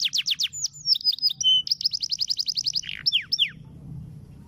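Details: Canary singing a long roll master song for tutoring other caged songbirds before competition. Fast repeated falling notes give way to buzzy chatter and a brief flat whistle, then a long run of quick even notes and a few sweeping whistles before it stops.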